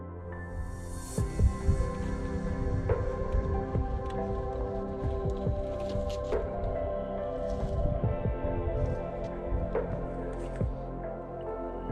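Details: Steady background music with sustained tones and soft percussive hits, and no animal calls heard.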